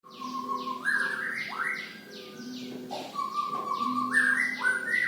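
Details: Young white-rumped shama learning to sing: varied whistled phrases with sliding rising notes and quick chirps, overlaid by a rapid, regular, buzzy high chatter repeating several times a second.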